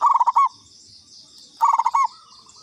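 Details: Zebra dove of local katuranggan type giving a lure call: two quick bursts of bubbling, rolling coos ending in a longer note, over a steady high insect buzz.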